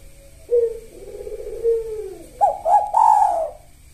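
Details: Spotted dove singing in the kuk satu style with the sahur rhythm, meant as a lure for doves that have stopped singing: a low drawn-out gliding coo, then two quick rising notes and a longer, higher final coo.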